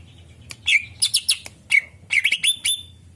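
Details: Greater green leafbird song meant to lure other birds: scattered bursts of sharp chirps and bright slurred whistles with high glinting overtones, grouped in short volleys separated by brief pauses.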